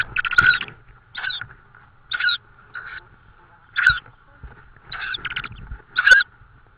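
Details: Tawny owl at the nest with prey in Estonia, evening of 18 May 2013: a series of about seven short, harsh, raspy calls, some doubled, irregularly spaced over several seconds, above a faint steady hum and soft low rustling.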